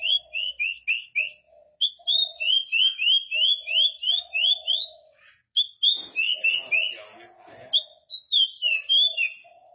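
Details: Javan bush lark kept as a show bird, singing steadily while perched on a stone. It gives a rolling run of quick rising whistled notes, about three per second, over a lower steady hum-like tone, with a harsher rattling burst midway.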